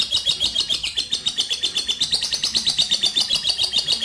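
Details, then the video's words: High, fast lovebird trill, the long ngekek style used as a lure for other birds, pulsing evenly about five times a second without pause throughout. "LOVE BIRD juara ngekek panjang"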